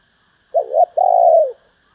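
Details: Female spotted dove calling to stimulate males with a paired short coo and a sustained mellow coo, faintly pulsed and falling at the end, against silence.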